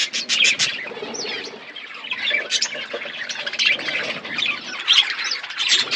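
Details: Chirping budgies in a colony setup, a soft, continuous babble of warbled notes broken by louder clustered chirps near the start and end.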